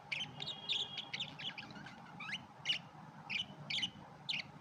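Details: Red-eyed budgerigars calling: a dense series of short, sharp chirps and warbled notes, overlapping in quick bursts with brief gaps, over a low steady background hum.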